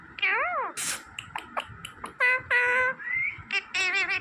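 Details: Green parrot mimicking human words: a falling-rising squeaky syllable, a sharp hiss, then several flat, drawn-out nasal notes and a quick wavering phrase, quiet background.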